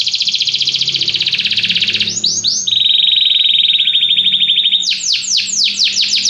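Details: Singing canary: a fast high trill, a few descending swoops, then a steady lower buzzing roll, and finally a run of drawn-out downward-sweeping notes.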